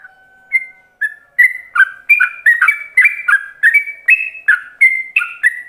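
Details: Yellow-vented bulbul singing in ropelan style as a master lure for other bulbuls to imitate: a long, steady, low whistle opens, then builds into a rapid chain of liquid, chirpy whistled notes repeated almost three times a second.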